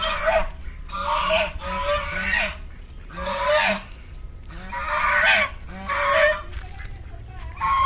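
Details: A black swan gives harsh, nasal, bugling honks, about six in eight seconds, each a raspy, drawn-out blare, over a faint background murmur.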